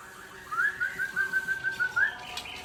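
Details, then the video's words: White-rumped shama singing softly: a smooth run of about eight short whistled notes at a steady pitch, evenly spaced, ending on a brighter rising whistle. "Murai Aceh # Power Full"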